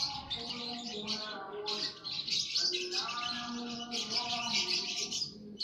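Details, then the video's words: Colony of lovebirds in an aviary, all chattering together in their long continuous ngekek song: dense, buzzy high-pitched twittering in overlapping bursts, with steady lower tonal hums running underneath throughout. "Lovebird koloni ngekek semua"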